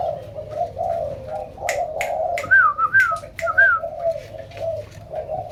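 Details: Captive zebra doves, many pairs bred indoors, produce a low wavering coo chorus. Sharp clicks and a few clear rising-falling whistled notes cut across the middle of the recording.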